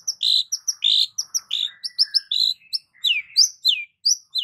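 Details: Long-tailed shrike in a varied lure song packed with imitations: quick chains of high chirps and squeaky notes, short downslurred whistles, and a brief lower buzzy rattle, delivered in rapid, irregular bursts with no other sounds.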